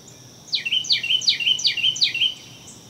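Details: Carolina wren (Thryothorus ludovicianus), song.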